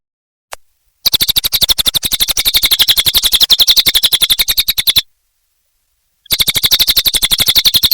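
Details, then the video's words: Cililin bird in lively song, delivering two extended bursts of rapid, evenly spaced high chirps separated by about a second of silence, after a single faint opening note. "Suara Burung Cililin Gacor Durasi Panjang"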